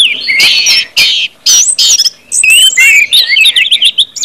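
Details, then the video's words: Orange-headed thrush singing in the ngeplong style, used as a lure for other singers: strong buzzy bursts, then a run of clear whistled slurs and quick trilled notes. "KUMPULAN ANIS MERAH NGEPLONG BIKIN CEPAT BUNYI DAN GACOR ANIS MERAH"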